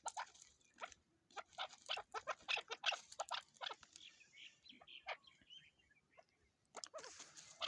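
Chukar partridge giving a fast run of harsh, raspy chuck notes, about three per second, breaking into scratchier bursts near the end.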